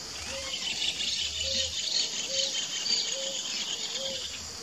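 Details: Two ruddy ground doves (Columbina talpacoti) calling: five short, mellow, low notes, each with a quick rise, evenly spaced under a second apart, set against a loud continuous buzz of insects.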